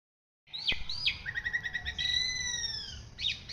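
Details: White-rumped shama song used as a master recording for training other birds: clear whistled phrases with sharp downward sweeps, then a run of quick chirps and long drawn-out whistles, over a low rumbling background.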